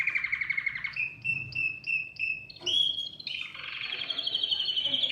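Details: Canary singing to prompt other birds to sing, opening with a fast trill, then four evenly spaced short clear notes, followed by varied high rolling trills.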